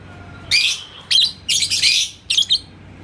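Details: Labet koneng lovebird in Indonesia, provoked by a rival's song. Loud, raspy, high bursts of chattering come in four clumps within three seconds.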